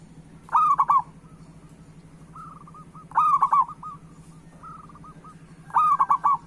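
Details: Local zebra dove in full song, used as a lure to prompt other doves to sing: loud trilled cooing phrases about every 2.6 seconds, softer rolling coos between them, steady low hum behind.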